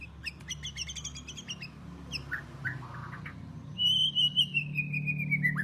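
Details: White-rumped shama from Java sings a fast, high, chattering trill and a few lower notes, then a long, pure whistle that slowly falls in pitch, over a steady low hum.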